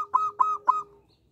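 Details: Three stretched cooing notes from a local zebra dove, each starting with a bright accent and trailing into a level purr, evenly spaced before fading into quiet.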